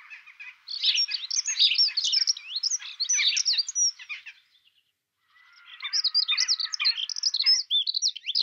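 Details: European robin singing during courtship: two bursts of rapid, high, twittering and warbling phrases with thin whistles, separated by a brief pause.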